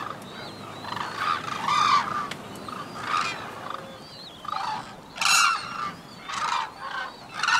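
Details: White-naped crane pair in a courtship unison-call duet: the female gives fast, high, short notes, bill and neck raised, and the male gives longer, lower pulsed calls with wings lifted; loud, brassy trumpeting bursts every second or two.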